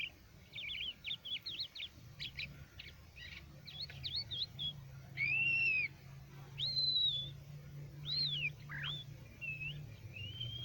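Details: Crested lark from Quetta singing: a quick jumble of twittering notes, then longer drawn-out whistles that arch and slur, some loud and pure, with a steady low droning hum throughout.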